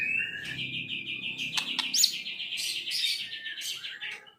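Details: Privately kept Medan-type white-rumped shama being trained to imitate other birds: a continuous fast warble of high, buzzy trilled notes over a faint low background hiss.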